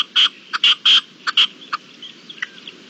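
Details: Red-legged partridge recorded in Spain in April, uttering loud, rasping, chuffing notes in a quick uneven burst, then trailing off into softer scattered notes over quiet countryside.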